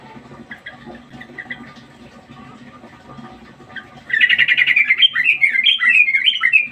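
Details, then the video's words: Sooty-headed bulbul (trucukan), billed as a lively fighter bird under a mettle test: faint scattered chirps give way to a loud, rapid string of rolling, repeated whistled phrases lasting nearly three seconds. "Tes mental burung trucukan | dobel fighter"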